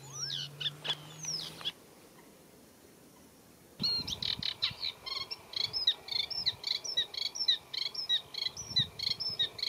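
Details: Eurasian reed warbler singing in a reed bed, a slow scratchy song with mimicry of other birds; a short burst of chattering notes, then a gap of near silence before steady repeated harsh high phrases resume.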